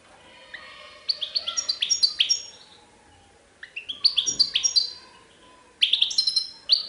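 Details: A goldfinch delivers Serfati Tiwawati song, the Moroccan-named style: three rapid phrases of sharp, high twitters and chirps, each about a second long, separated by short pauses, clear and dominant.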